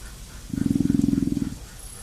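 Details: Female emu drumming, replayed from an online recording, heard as a low, fast-pulsed growling rumble of about one second that rises and fades against steady hiss.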